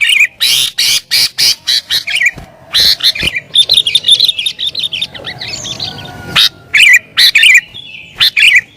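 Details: Agitated sooty-headed bulbul singing to provoke rivals and call in wild birds: dense runs of sharp, bubbly chirps, with a short quieter gap of softer warbling mid-way before loud bursts resume.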